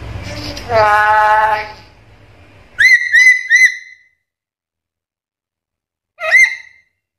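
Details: Black-capped lory, lively and able to talk, with varied mimicked sounds: a drawn-out nasal, harmonic voice-like phrase, then three quick rising squawky whistles in a burst, a pause, and one more rising harsh whistle.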